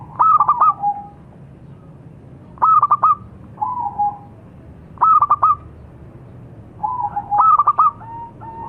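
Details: Local zebra dove (perkutut lokal) singing: four staccato cooing phrases, each a quick stutter of clipped notes ending in a softer drawn-out coo, repeated every two to three seconds over a low background hum.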